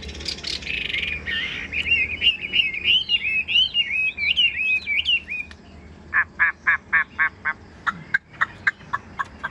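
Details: Caged Chinese hwamei kept as a songbird in Vietnam, singing a fast run of clear, looping whistled phrases, then switching to a series of short, sharp repeated notes near the end.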